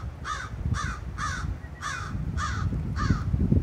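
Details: Several crows making noise at a high school in Chatham, Ontario, June 11, 2023; six raspy, downward-bending caws come roughly twice per second, with low traffic-like rumble beneath.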